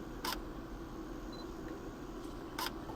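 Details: Two sharp camera shutter clicks over a low background hum, with no animal voice heard.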